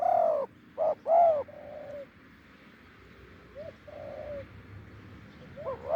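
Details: Loud, deep coos of a wild spotted dove near a decoy on a branch: strong clipped hoots and a longer coo, then softer rising-falling phrases after a pause.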